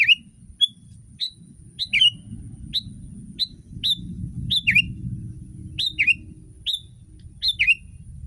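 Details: ['Sooty-headed bulbul master song meant to get a pet bulbul singing along. Sharp whistled notes, some paired with falling slurs, repeat roughly every half second to second against a low background hum.']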